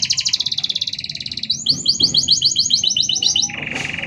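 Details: Lively canary singing with short pauses, used as a master song or to provoke other canaries: a fast even trill, then a run of quick rising chirps and a low steady buzzing trill at the end.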